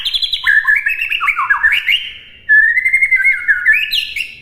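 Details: White-rumped shama song used as a master recording for other birds to imitate: rich whistled phrases sliding between low and high notes, a short pause near mid-clip, then a longer warbled phrase rising at the end.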